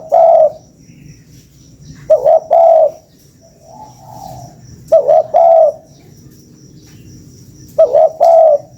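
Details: Spotted dove calling, a recording used as a lure: mellow coos in short phrases of two to three notes, each phrase about a second long. The phrases come roughly every two to three seconds, with a faint high steady tone behind.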